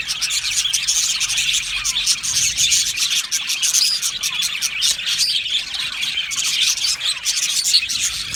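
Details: Colony of Australian budgies in an aviary, unbroken high twittering and squawky chatter from many birds, with rhythmic louder chirp bursts.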